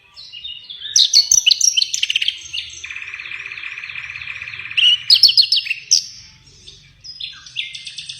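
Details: Songbird singing gacor (nonstop) right after being released, varied high chirps, buzzy trills and a long steady rasping note, with rapid clicking bursts.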